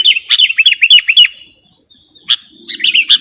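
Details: Sooty-headed bulbul in a lure or tutoring recording: a rapid string of bright warbled chirps, a short silence, then a lone note and a few more chirps over a faint low buzz.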